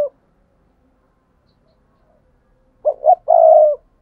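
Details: Spotted dove cooing, used to lure wild doves. After a long silence, one phrase comes at the end: two short, low coos and then a longer, steady, drawn-out coo.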